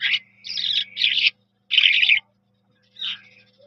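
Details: Eurasian skylark (Jal Mashadi) delivering three or four separate bursts of bright, buzzy, high warbling, linked at first by a thin steady whistle, with a faint low hum behind.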